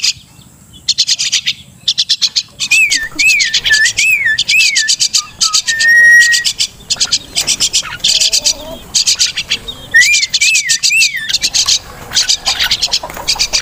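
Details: Crested myna, the local Martinez, mixes fast, scratchy high chatter with looping, wavy whistles repeated in short series, some brief level whistles, and steady quiet gaps between phrases.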